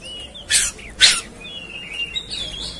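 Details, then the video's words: Oriental magpie-robin, agitated and fighting, in a masteran training recording: two loud, harsh, noisy bursts about half a second apart, with faint thin whistles running beneath. "Kacer Ikut Ngamuk Tarung"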